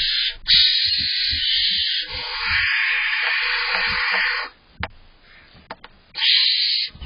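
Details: Barn owl owlets tussle as their father delivers prey in July, giving harsh, rasping hisses: one long hiss of about four seconds, a pause with faint knocks and scuffles, then another hiss.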